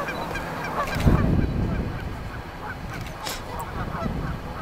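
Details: Geese at a big river island nesting site in early spring honk in a busy, overlapping chorus of low nasal calls, several per second, with wind and river noise behind.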